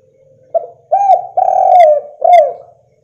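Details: Spotted dove lure call meant to make other doves answer: a short clipped note followed by three strong, mellow coos, the longest in the middle, the last one slurring downward, in near silence.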